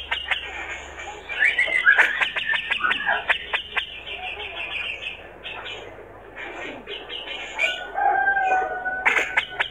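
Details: Male grey-cheeked bulbul in full, lively song, said to instantly provoke rival birds: a rapid, varied run of chattering notes, clear whistles and short trills, with pauses and a sustained whistled phrase near the end.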